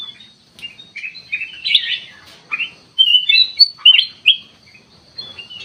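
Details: Lure recording of kutilang emas used to trigger a response: lively clusters of bright chirping whistles, several loud twisting phrases after a brief pause, with a faint steady high tone behind.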